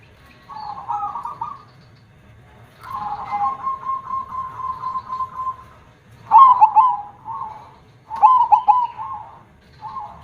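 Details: Perkutut song of the KONG voice type: a softer rolling coo and a long level hum, then two loud phrases with sharp accented notes.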